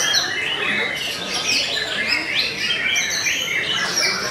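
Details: Belanda-type white-rumped shama in full song, bright high whistles and steep upward and downward slurs laid over steady scratchy chatter, continuous from start to finish.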